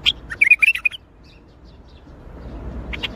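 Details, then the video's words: Bulbul singing in the Baghdadi style (tor Baghdadi): a quick bubbly phrase of short warbled whistles in the first second, then near silence and a brief pair of high notes at the end. "تغريد بلبل طور بغدادي"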